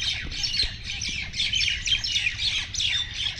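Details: Common mynas fighting, one aggressive bird subduing another: a dense run of harsh, rasping squawks, about two or three a second, with a faint low background rumble.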